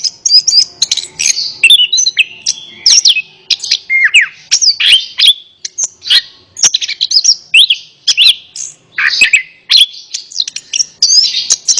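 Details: Orange-headed thrush singing richly, intended to stir a silent bird into song. Sustained varied phrases of bright whistles, quick chirps and slurred notes follow one another at a brisk pace on a clean background.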